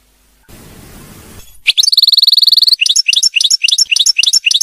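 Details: Royal goldfinch muqnin song for teaching caged birds: after a brief rushing noise, a sustained high buzzy trill followed by repeated bright twittered notes about every quarter second.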